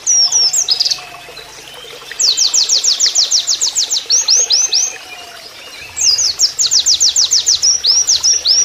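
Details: Oriental white-eye singing a canary-like song: fast runs of high, thin, swooping whistles in two long bursts, over a faint low hum, with the sound of flowing water added.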